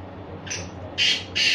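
Black francolin giving three harsh, grating notes, a short one followed by two longer rasping ones in quick succession, over a faint low hum.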